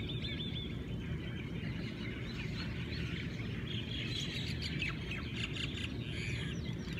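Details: Hawaiian birds in the morning: overlapping whistled notes and rising chirps, with a burst of rapid high trilling in the second half, all over steady low-pitched background noise.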